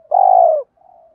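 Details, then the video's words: One long, loud, vibrating coo from a spotted dove, slightly falling at its end, then a faint low hum; recorded to encourage other doves to coo. "tiếng cu gáy kích bổi hiệu quả mỗi ngày, cu gay kich boi nhanh noi gù"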